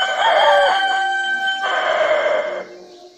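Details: Rooster crow already underway, loud and harmonic with a wavering opening and a sustained middle, fading out in the last half second.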